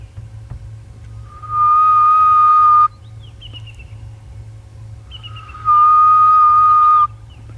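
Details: Grey-headed bushshrike heard on a 5 September afternoon safari drive: two long, steady, hollow, eerie echoing whistles about four seconds apart (the call behind its "ghost bird" name), faint higher notes between, low engine hum.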